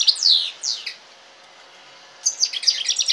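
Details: European goldfinch and canary hybrid singing: two bright downward-sweeping phrases, a pause of over a second, then a fast burst of high twittering notes.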